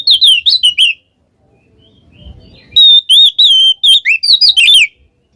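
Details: Oriental magpie-robin singing in the 'ngeplong ngekek' style, a recording meant to prompt a quiet magpie-robin into song. A second of loud, rapid, high whistled and chirping notes, then a low rumble, then a longer burst of varied whistles.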